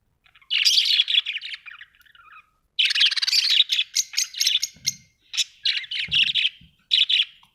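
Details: Budgerigars chatter in long, dense runs of high, scratchy warbling and rapid chirps, breaking into separate short bursts later, with a couple of soft low thumps underneath.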